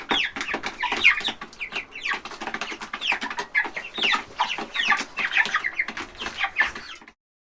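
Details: Baby chickens at a trough in a large chicken house on a farm make rapid, sweeping high peeps and clucks in a thick flock chorus that ends abruptly near seven seconds.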